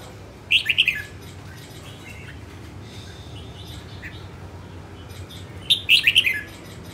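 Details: Female red-whiskered bulbul of northern stock in training, giving two rapid chirpy phrases about five seconds apart, with soft faint notes between and a steady low background hum.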